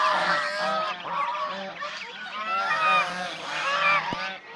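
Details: Swan goose, domestic form, calling while playing, bathing and resting with others. Clear ringing honks with strong stacked harmonics repeat in quick succession, overlapping, and a single sharp knock sounds near the end.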